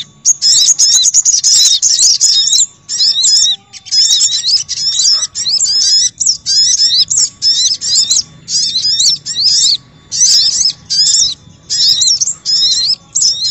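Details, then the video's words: A sunbird lure recording: busy, high-pitched chattering, with sharp twittering notes tumbling in rapid bursts of a second or two, separated by brief pauses, with no other sounds. "Suara Pikat Burung Sogok Ontong Ribut"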